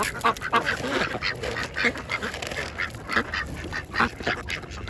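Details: Several ducks of mixed kinds feeding at a pond at lunchtime, giving dense, rapid nasal quacks that overlap in a busy chatter, with a steady background hum.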